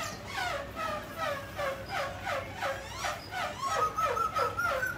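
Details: Grey laughingthrush, a mutant bird shown singing and dancing, gives a quieter series of quick descending slurred notes repeated about twice a second, ending in a steady high whistle over a soft background murmur.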